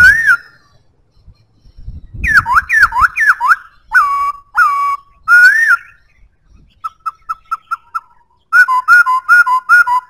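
A White-browed laughingthrush sings loud, clear whistled phrases: swooping slurred notes, then quick runs of short repeated whistles, with brief pauses between bursts.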